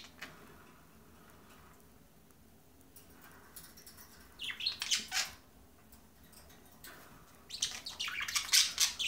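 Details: A young budgerigar of about 5 months, sex unknown, chatters in bursts of high, scratchy warbles and chirps, practising speech-like sounds as it learns to mimic a talking budgie.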